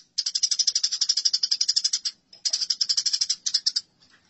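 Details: A fighting Eurasian tree sparrow gives two long, even runs of rapid, harsh chirps, about four notes a second, separated by a brief pause.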